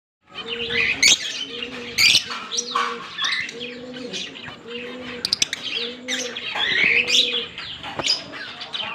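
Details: Pair of green Fischer's lovebirds recorded on October 16, 2023, giving shrill, scratchy chirps and squeaks, while low doubled cooing repeats about once a second in the background.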